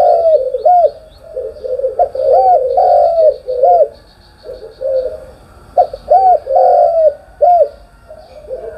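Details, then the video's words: Morning cooing of a spotted dove, soft hollow notes grouped in short phrases, each coo arching up and down, with quieter gaps between bursts. "cu gáy sáng"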